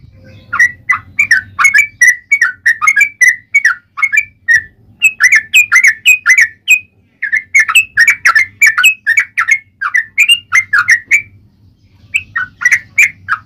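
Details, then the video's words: Yellow-vented bulbul singing a long fighting-style song used as a lure to trigger replies: a continuous stream of bubbly, gurgling notes in quick phrases with brief pauses. "SUARA trucukan gacor ROPEL PANJANG buat Pancingan trucukan agar bunyi"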